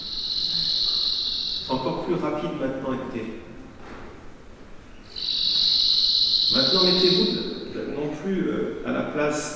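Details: Replayed Cirl Bunting song, its notes repeated at a striking speed that impressed Messiaen: two rapid, high, dry trills of about one and a half seconds each, separated by a man talking over the playback.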